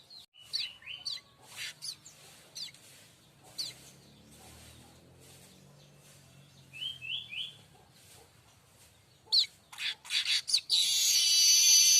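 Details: Streaked weaver song used to tutor other songbirds: scattered chips and short slurred notes, a few paired whistles, then quickening chatter ending in a loud hissing buzz, with a low hum underneath.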